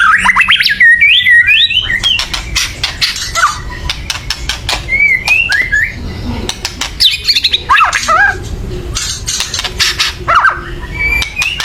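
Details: White-rumped shama giving loud, agitated chattering meant to stir other birds into singing: dense sharp clicking bursts mixed with short rising and falling whistled phrases, intense throughout with a steady low background hum.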